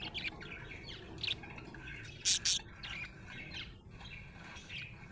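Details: Happy budgerigar chirping: a string of short high chirps and harsh squawky bursts at irregular intervals, one louder broadband squawk in the middle.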